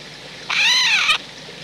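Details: Eurasian jay at a wild-bird feeding point in the countryside of central France, 17 December 2019 (autumn), gives one harsh, rasping screech under a second long, loud and slightly arched in pitch, against quiet background hiss.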